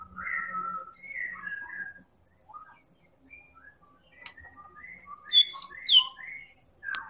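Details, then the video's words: White-rumped shama, a Medan-type bird used as a lure to provoke other birds into singing: varied whistled phrases, some slurred and rising, others short and clear, with gaps between bursts and a louder finish. "Pancingan Burung Murai Batu Medan Super Gacor Elit Juara"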